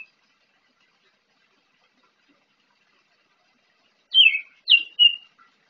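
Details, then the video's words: Morning song practice of a young orange-headed thrush used as a lure for untrained birds: long silence, then three short sharp whistled notes in quick succession near the end. "Anis Merah pastol belajar bunyi di pagi hari cocok untuk pancingan anis bahan"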